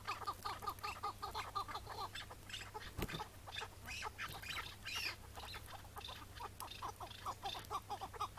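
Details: Chukar partridge of the Iraqi type, recorded on a May 2017 morning while being captured. Irregular bursts of harsh chuk notes come in uneven groups, with a loud thump partway through.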